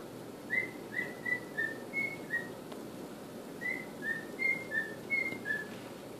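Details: Male pet cockatiel attempting the Andy Griffith theme, still rough: two phrases of short whistled notes near one pitch, about five to six notes each, slightly wavering up and down, in a quiet room.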